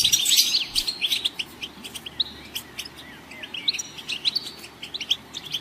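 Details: Goldfinch twittering: a loud opening burst of tinkling notes and trills, then sparser quick chirps and short phrases repeated at an uneven pace.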